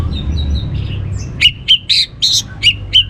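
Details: Orange-headed thrush lure song: soft warbling notes, then six or seven sharp, evenly spaced chirps in quick succession, intended to spur other birds to sing.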